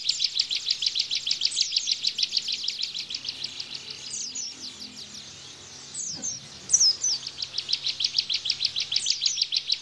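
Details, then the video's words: Bar-winged prinia in 'tembakan' style for tutoring cage birds: quick runs of high, dry chipping notes, a quieter gap with scattered downslurred whistles and a low knock, then the fast chipping resumes. "Tembakan Ciblek Bren"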